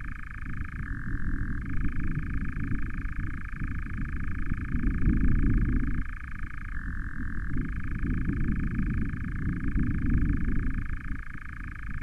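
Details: On 09/07/20, three nightjars interact near an osprey nest camera; a sustained rattling churr runs throughout, dipping briefly to a lower pitch twice, beneath continuous low-frequency rumble.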